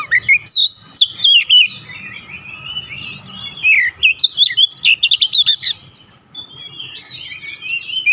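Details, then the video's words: Kacer, the Oriental magpie-robin, singing a varied, lively song used as a remedy for stressed birds: rising and falling whistles mixed with clipped chirps, a dense rapid burst midway, then softer warbling. "KICAUAN OBAT KACER SETRES CEPAT SEMBUH DAN GACOR NGOTOT BONGKAR ISIAN"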